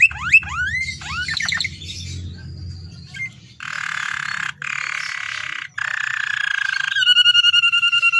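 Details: Canary singing as a lure for captive canaries: rising whistles and quick sweeps, then long harsh buzzy rolls separated by short gaps, ending in a fast pulsed whistled trill.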